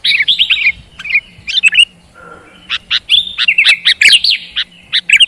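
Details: Sooty-headed bulbul singing, recorded for training silent birds into constant singers: bursts of bright, slurred chirps and wavering whistled notes, broken by short pauses and a brief low murmur, then a busier run of sharp chirps.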